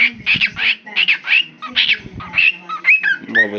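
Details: A male pet cockatiel talks with his owner, chattering in scratchy, speech-like bursts broken by short whistled notes.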